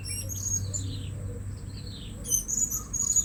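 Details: Blue-crowned hanging parrot used in luring birds at a new place. High, thin chirps slide downward, then a sharper burst of squeaky notes comes near the end, with low background rumble.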